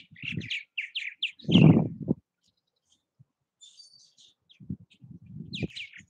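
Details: Purple martins at nesting houses, Southwest Missouri: a short burst of rippling chirps, then a loud low thud, quiet, and more chirps returning with rumbling knocks.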